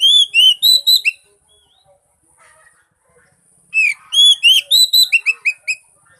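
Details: Oriental magpie-robin song used to coax a silent bird into singing. A quick series of loud, clear whistles is followed by near silence with faint twitters. A longer rapid run of looping whistled notes then returns.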